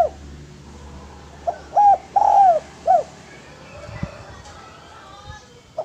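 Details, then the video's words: Spotted dove cooing, as used for luring and training other doves: one clear phrase of a brief coo, a long mellow coo and a falling coo, followed by quieter background noise and a soft thump. "Suara Pancingan Derkuku Gacor AMPUH dan Masteran Derkuku Tekukur Lain"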